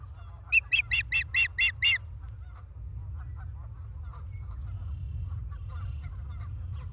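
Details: Osprey at a nest in Charlo, Montana, filmed by a live nest cam on 28 August 2023 at 16:08: a quick burst of about seven sharp, piping, harmonic-rich notes over two seconds, then a steady low rumble with faint scattered chirps.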